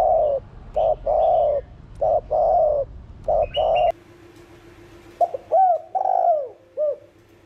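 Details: Spotted dove cooing in the thổ đồng style to stir other doves: a run of rough, flat mid-pitched coos, then a cleaner phrase of short rising coos and a long falling one.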